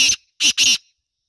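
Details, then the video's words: Harsh, grating calls of a female black francolin, known locally as kala teetar: one rasping note, then after a gap two longer notes close together, fading into silence. "Black Francolin sound | kala teetar ki awaz Partridge Voice"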